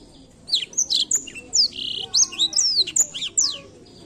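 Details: Singing Blackthroat, used to encourage other birds to sing, giving a continuous stream of bright, high chirps and slurred whistles, some sharply descending, others with short buzzy notes, about two notes per second.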